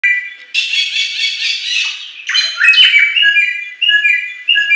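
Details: A wild forest Bare-throated whistler sings a harsh, buzzy churring phrase, then a run of clear, loud whistled notes at a middle-high pitch.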